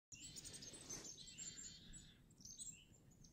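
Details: Black-capped chickadees in winter, heard while snowshoeing at Devil's Lake State Park: thin, high chirping notes in short bursts, with a steady low rumble of background noise underneath.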